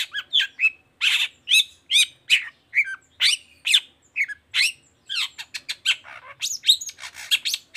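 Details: Long-tailed shrike singing to spur other shrikes into song. Steady runs of short, harsh, chattering and squeaky notes, about two per second, mixing grating squawks with thin, high whistled bits.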